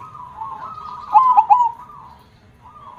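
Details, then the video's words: Zebra dove (perkutut) in full song with a big 'kong' voice: three loud clipped coo notes followed by a level, slightly trilled drawn-out note. A fainter dove coos steadily in the background. "gacor suara besar KONG - perkutut mana yg gak merinding dengarnya"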